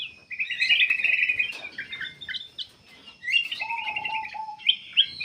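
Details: Black-capped bulbul song used as a lure to start other birds singing: rapid trilled warbling phrases with a pause in the middle, then a lower level whistle alongside renewed chattering.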